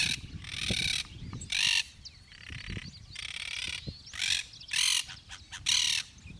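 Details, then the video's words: Yellow-headed caracara from Gualeguaychú, Entre Ríos, Argentina: rough, hissing screams of varied length, several long drawn harsh notes then shorter bursts, over a background of low thumps and rumbling noise. "Yellow-headed Caracara, Chimachima (Milvago chimachima)"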